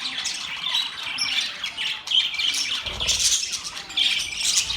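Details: Budgies chirping together in mating chatter: high buzzy squawks and sharp tweets tumbling over one another, with a faint low rumble underneath.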